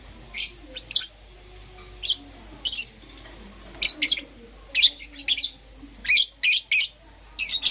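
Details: Morning chirping from Euwing green opaline and lutino lovebirds: piercing high notes in brief bursts, some doubled, spaced roughly every half second to second, over a low steady background hum.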